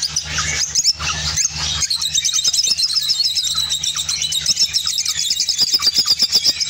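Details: An opaline orange lovebird chatters in a fast, unbroken stream of shrill, squeaky twitters and chirps, with a low hum underneath in the first two seconds.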